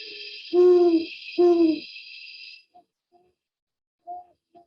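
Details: A pair of Great Horned Owls: two deep, resonant half-second hoots close by, then softer, fainter hoots from the second owl far off in the distance, with a steady high hiss underneath at first.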